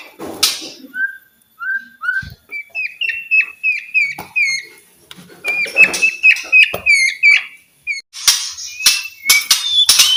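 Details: White-rumped shama song played to coax silent shamas to sing: short whistled notes, then a fast run of clipped chirps, repeated several times a second, with scattered clicks and broadband bursts.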